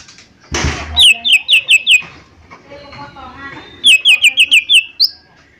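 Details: Lesser green leafbird, a lure recording meant to make other birds sing: a sharp noise burst, then a run of about six quick slurred chirps, a low warbling pause, then another fast run of bright chirps ending in a high whistle.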